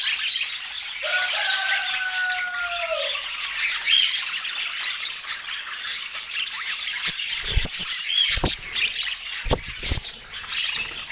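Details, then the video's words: Budgerigars chatter while eating. Steady high twittering runs throughout; early on a smooth two-toned tone glides down, and later come several sharp taps or knocks. "Daily Healthy Food Routine for Budgies with Sweet Chirping Sounds"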